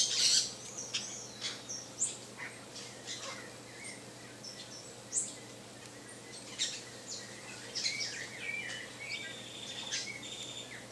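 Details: Saffron finch, known locally as canário-da-terra, with scattered short, high chirps and occasional thin rising notes spread across the recording over a faint background hiss.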